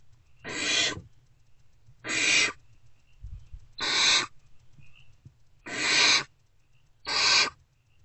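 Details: Early on 3 March 2024, unfed great horned owlets react inside their nest box to an adult's return: five raspy, hissing screeches at intervals of well over a second.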